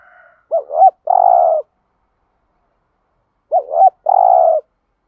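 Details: Spotted dove, thổ-style voice, cooing to stimulate decoys: a faint higher call at the start, then two spaced phrases, each a quick double-wavering note followed by a long steady coo.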